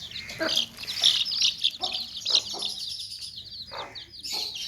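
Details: Chicks cheeping loudly in a basket with clucking hens: a bright, crowded chorus of shrill peeps, a few short hoarse clucks, and a sharp burst near the end.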